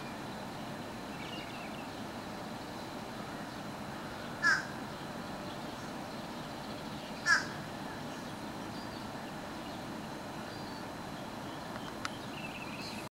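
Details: Bird heard but not seen in Wilkes-Barre, Pennsylvania, summer 2012, giving two brief, rough calls roughly three seconds apart against steady low outdoor rumble, with a faint tick near the end.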